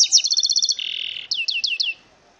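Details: Mule from a male goldfinch and female canary sings a rapid string of clipped high notes, a brief buzzy hold, then four evenly spaced descending whistled sweeps.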